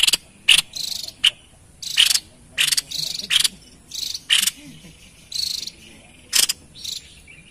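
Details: White-chested babbler in full voice, recorded for luring wild birds: rasping, buzzy high bursts repeated irregularly, some notes sharp and clipped, others drawn out a little longer.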